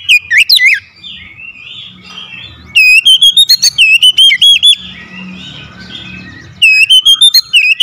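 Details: Oriental magpie-robin singing as a lure for lazy birds: loud whistled bursts at the start, middle and end, rippling and warbled, with softer twittering and faint low hum between them.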